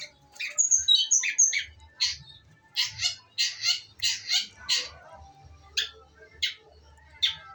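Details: Female long-tailed shrike song opening with quick high whistled and chattering notes, followed by a run of harsh buzzy notes, then spaced single rasps.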